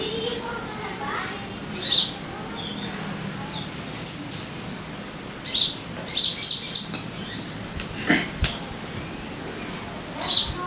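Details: Lure song of the sogon for prompting caged birds to sing: irregular sharp, high-pitched chirps, some single and some in quick clusters of three, with slightly lower faint twitters behind.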